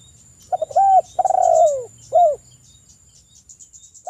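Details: Spotted dove used as a lure to spur other birds to call: two soft stutter notes, an arched coo, a long purring coo falling in pitch, then a short clipped final coo. Faint high chirping sounds in the background.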